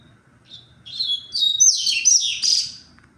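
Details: Tui-tui style double-collared seedeater song from 23 February: a brief whistled note, then a long, loud cascade of fast buzzy and slurred high notes lasting about two seconds, over a faint low hum.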